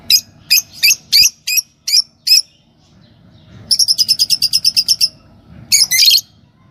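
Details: Green Fischer's lovebird pair chirping: a series of evenly spaced sharp high chirps, then a faster rapid trill of chirps, ending in a harsher double squawk.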